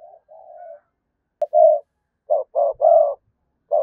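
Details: Spotted dove used as a lure, cooing to stir up rival doves. Soft drawn-out notes give way to short, loud, clipped coos in a quick uneven burst.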